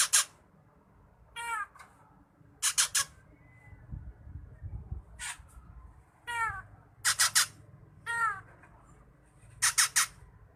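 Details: Drongo in energetic full song used as a songbird tutor: alternating groups of two or three harsh rasping bursts and twangy, nasal downslurred calls with strong overtones, roughly every second or two, over low background rumble.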